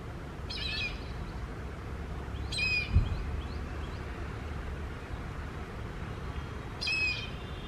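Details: Indian grey hornbill giving three harsh, squealing calls rich in harmonics, each short burst separated by several seconds of steady background hiss, with one dull thump in between.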